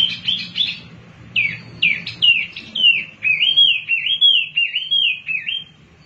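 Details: Energetic wambi mini song used to prompt other birds to sing: a few quick notes, then a run of clear, high, wavering whistles rising and falling in a rolling phrase, against a faint low hum.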